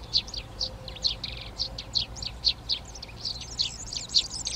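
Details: Eurasian tree sparrows taking over nest boxes in a garden in Přerov, Czech Republic, on 19 March 2020: short bright chirps repeated about twice a second, with chaffinch, serin, hawfinch and dunnock song behind.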